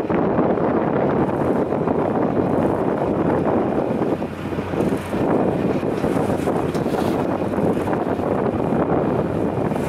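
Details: Heavy wind buffets the microphone over the rumble of a boat on open water.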